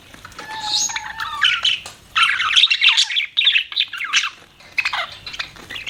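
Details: Pet budgerigars chirping: a thin whistled note, then dense bursts of scratchy, warbling chatter with squawky notes, broken by short pauses.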